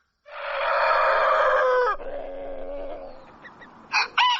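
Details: Dawn rooster crow: one long, rich, harsh note held nearly two seconds, trailing into a lower drawn-out tail, with short calls from another bird at the end.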